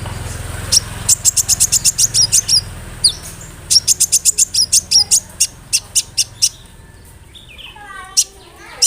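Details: Sunbird song used as a lure to make other sunbirds reply and to stir silent birds into singing: rapid bursts of sharp, very high ticking notes in two runs, with a few thin squeaky phrases near the end.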